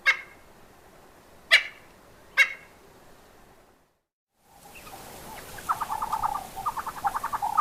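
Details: Red-billed Spurfowl giving its harsh crowing territorial call, usually given from a low perch: a rapid, gruff, grating series of rasping notes, preceded by a few sharp isolated clicks.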